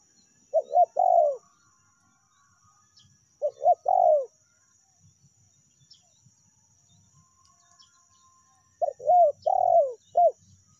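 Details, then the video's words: Spotted dove calling for luring birds, meratus and melambung styles: three coo phrases spaced about three and five seconds apart, each short paired notes leading into a drawn falling coo, the last phrase adding an extra closing note. "PANCINGAN TEKUKUR SUARA MERATUS DAN SUARA MELAMBUNG"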